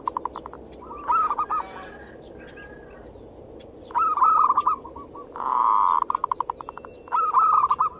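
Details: Zebra dove song in manggung style, played to stimulate other perkutut: repeated low rolling coo phrases, one long sustained coo and quick pulse runs between them, with soft clicks behind.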